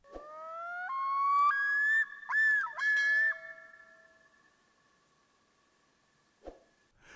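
A Common Loon gives a long, mournful wail that climbs in steps from low to high and holds for about three seconds before fading. Faint clicks follow.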